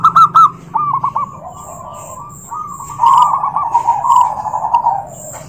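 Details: A zebra dove's call, used to stir other doves to answer, opens with a loud bubbling coo burst. A long run of softer, blurred cooing from several birds follows.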